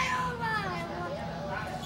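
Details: A small female parrot sings "Zip-a-Dee-Doo-Dah", a song she sings in three octaves, in a human-like voice with sliding, wavering tones over about two seconds, while a person speaks nearby.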